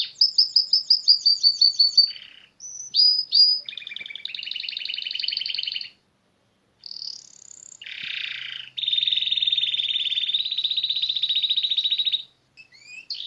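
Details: Canary song in natural surroundings: rapid repeated chirps, slurred whistles, a pulsed trill, a short pause, a harsh buzz, then a long sustained rolling trill and a few closing notes.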